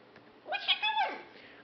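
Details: Female pet macaw indoors, unaware the camera is on, talks in a short high-pitched, strongly harmonic phrase of about half a second, a mimicked question like "whatcha doing", with a quiet room and the owner chatting around it.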